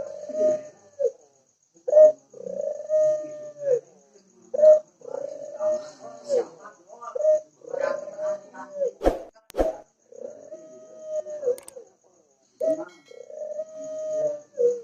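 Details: Ringneck dove giving long runs of lively cooing for training birds: steady mid-pitched coos with falling ends repeat in rolling phrases, broken by two sharp clicks midway.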